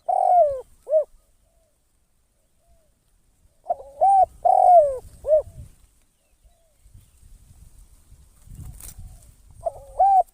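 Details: Spotted dove kept as a trapping decoy, cooing in repeated phrases of a long falling note and a short arched coo, each phrase returning every few seconds, with low rumbling noise and a faint rustle in the background.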